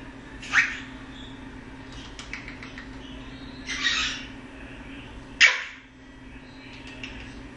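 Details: Male eclectus parrot, a foster bird kept as a pet, making funny noises: three harsh, raspy squawks spread over several seconds, each a short broadband burst, with a steady low electrical hum underneath and quiet clicks between calls.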